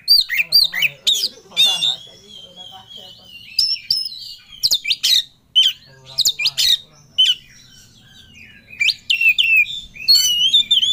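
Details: Kept Oriental magpie-robin in fierce rival-seeking song, pouring out quick whistled slurs, sharp metallic notes and dense chatters in irregular bursts, with brief quiet gaps between phrases.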